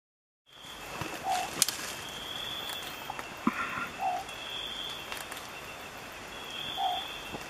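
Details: Long-whiskered Owlet at Fundo Alto Nieva near Abra Patricia, northern Peru, in March 2014. It gives three short, low, slightly wavering hoots about 2.7 seconds apart over a steady high insect drone, with a few sharp clicks and a brief mid-pitched sound.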